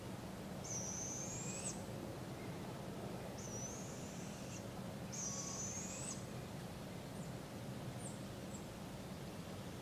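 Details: Fledgling barred owls being fed by their parents and learning to hunt, in a park in Polk County, Iowa, July 2017: three harsh, hissing screeches spaced about two seconds apart, with faint chips afterwards.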